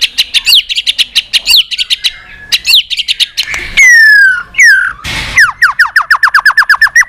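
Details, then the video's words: White-rumped shama singing a varied, many-voiced fighting song while flicking its tail: loud clear whistles, downward-slurred notes and fast trills of repeated sharp chips, with a few brief harsh bursts between phrases. "chòe lửa hót nhiều giọng kích bổi hót đấu"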